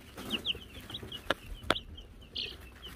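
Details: Wyandotte chicks (Silver Laced, Gold Laced and Gold Laced Blue) on a baby chicken cam, given a bell, May 2022: high, short, downslurred peeps repeated rapidly, with two sharp metallic bell rings in the middle.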